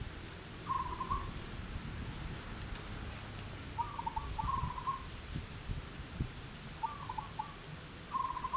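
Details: A wild local zebra dove calling repeatedly from a jackfruit tree, targeted by a bird trapper with a lure cage nearby; its voice is described as big and deep. Soft, rapid trilled cooing phrases about every three seconds over a steady low rumble.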